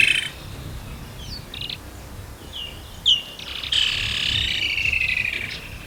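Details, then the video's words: Woodland kingfisher in Africa giving scattered thin chip notes followed by a sustained rapid trill that slowly drops in pitch, against light background hiss. "Woodland Kingfisher"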